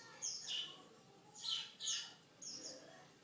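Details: Canary with a song described as unique: a few separated high chirping notes, some downward-sweeping, spaced about half a second apart with faint background hiss.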